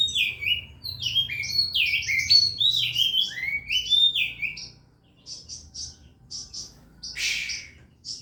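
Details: Oriental magpie-robin, a contest bird being prepared for competition, singing vigorously: a fast jumble of loud sliding whistles and rich warbled phrases, then softer short buzzy chirps repeated at uneven intervals, with a sharp burst near the end.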